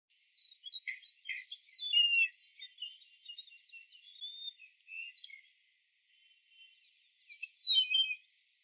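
Indian grey hornbill giving shrill, squealing notes in three bursts, with a faint steady high hiss behind.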